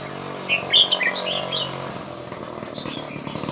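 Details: Red-whiskered bulbul, 'Hua Krok Khayao Khuat' song style for teaching young birds: a brief phrase of bright whistles at the start, then a steady rumbling engine-like noise that covers the rest.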